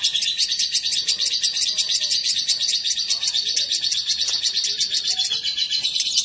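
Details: Lovebird male and female brought together, giving a dense, continuous stream of rapid, shrill high chirps with fast, irregular pulses and no pauses; faint lower sounds in the background.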